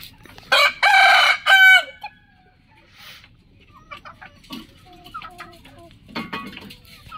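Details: A rooster, one of twenty different birds, crowing in the morning: a broken crow in three loud harmonic bursts over about one and a half seconds, ending in a falling tail, then soft clucking and scattered low calls.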